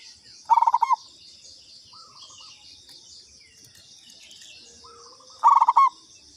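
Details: Local zebra dove (perkutut lokal) lure call: two rapid rolling coo bursts several seconds apart, with softer coos between and a steady high insect hiss.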